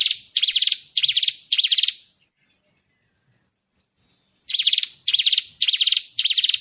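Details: Murai batu 'isian tembakan' training recording: harsh, buzzy rattling bursts, each about a third of a second long, four in a row, then a two-second silence, then four more.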